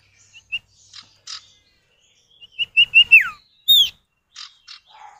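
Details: Common iora pair, male and female answering each other as a lure for other birds: scattered short whistles and soft buzzy notes, then a rising series of whistles ending in a downslurred note, with high sharp chips after.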